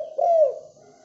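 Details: Spotted dove in the morning: a single smooth coo, rising briefly then sliding downward, lasting about a third of a second.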